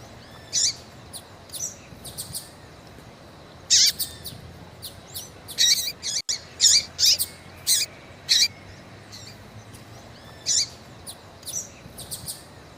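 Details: Female coleiro (rusty-collared seedeater) peeping and calling to stir a male; scattered high chirps, some faint, clustering into a busy run of sharp notes midway, then sparser calls toward the end.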